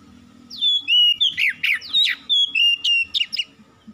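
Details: Short burst of kacer (Oriental magpie-robin) lure song: a dense run of sweet whistles and quick slurred notes over a faint low buzzing background.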